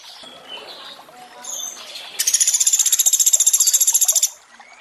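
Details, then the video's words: Trickling water, then a Sunda pygmy woodpecker gives one high, buzzy rattle of quick regular pulses lasting about two seconds. The 'tembakan' burst is from a training recording mixed with water sounds. "Masteran untuk sogon tembakan mewah pelatuk beras + suara air"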